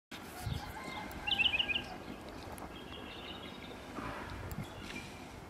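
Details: A white-eared bulbul gives a quick, bubbly run of about six high chirps over a steady background hiss, with a few faint sounds later.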